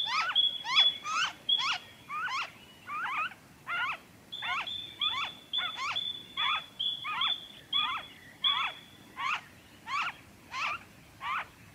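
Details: Noisy friarbird recorded in Victoria, Australia, in February 2023, giving a long run of raspy, downward-slurred double notes at a brisk pace, over a level high tone that breaks off and returns.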